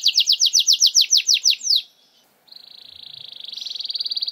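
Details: Singing canary used as a lure to prompt reluctant canaries to sing. It gives a run of quick, descending swept notes, a short gap, then a steady, fast, rattling trill that grows louder.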